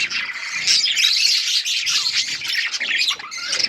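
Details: Budgerigars chirping loudly as a group: a dense, unbroken wall of high, scratchy warbling and squawking chatter with few pauses.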